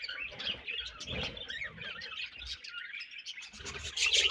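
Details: Continuous warbling chatter from several budgerigars during feeding and food exchange, high chirps blending into a busy stream with faint low bumps.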